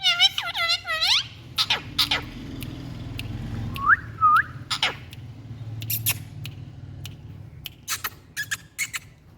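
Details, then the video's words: Rose-ringed parakeets, called Indian parrots, give a burst of layered chattering notes, then short upslurred whistles and scattered sharp chips and clicks over a steady low rumble. "Indian Parrots🍃Beautiful Sounds"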